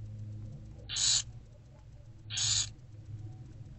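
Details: Growing barn owl chicks in a nest box at late morning, 15 February 2024, being fed by their mother: two rasping, hiss-like screeches, each about a third of a second, spaced roughly 1.4 seconds apart, over a low electrical hum.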